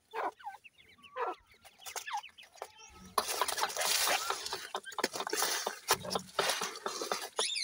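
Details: Several little grey francolin chicks feeding: thin rising cheeps in the opening seconds, then a broad rustling, hissing noise under continued clicks and scattered peeps.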